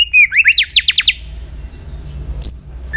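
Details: White-rumped shama being trained to sing for contests: a brief burst of quick rising slurred notes, about seven in one second, followed by quiet and a single high clipped note.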